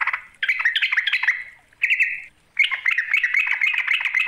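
A yellow-vented bulbul gives bright, bubbly chattering phrases in three quick bursts, with liquid warbled notes, used to call out a rival.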